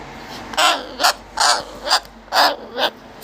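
A parrot gives loud, harsh, raspy squawks in pairs, six calls in about three seconds, with faint room noise.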